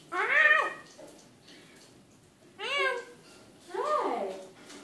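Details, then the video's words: Evening talk from a pet Eclectus parrot indoors: three clear, voice-like phrases, each a rising then falling tonal sweep, spaced about two seconds apart, in a quiet room. "Evening talk with Eclectus Parrot"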